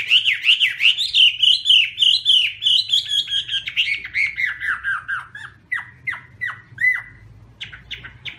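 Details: Chinese hwamei in full song while waving its wings, a rapid chain of looping whistled notes, then spaced sharp downslurred calls.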